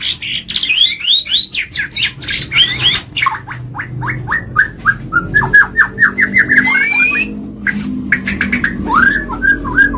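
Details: White-rumped shama in full 'gacor' champion-style singing: a rapid series of descending whistled notes, a sweeping rising note, then more downward-slurred whistles, delivered loudly and without letup.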